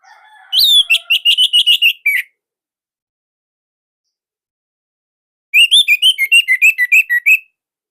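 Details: Indonesian orange-headed thrush singing in a loud, slightly dense style used to coax silent birds into song: two rapid series of repeated whistled notes, about eight to ten each, separated by a pause.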